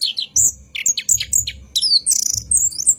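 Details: Orange-headed thrush in a night-time lure recording for cage birds, giving a brief burst of shrill whistled and chattering notes, including a sweeping downward slur, with faint low thuds behind.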